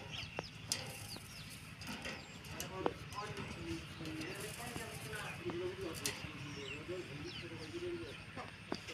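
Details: A pet talking common myna mutters short, low, speech-like syllables in irregular bursts, with sharp clicks and a steady noisy background.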